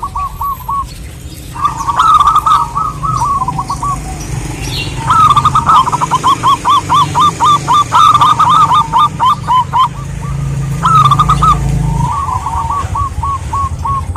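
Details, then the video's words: Female zebra dove, local wild type, calling a male: long stretches of fast hooked cooing notes, four per second, in several runs with louder rolling bursts, over steady low hum. "burung perkutut gacor betina memanggil jantan ini"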